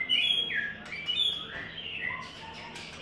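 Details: White-rumped shama in its third molt singing the "Imagine" style: a dense run of varied whistles, high level notes and rising-falling slurs, fading toward lower softer notes at the end, low hum underneath.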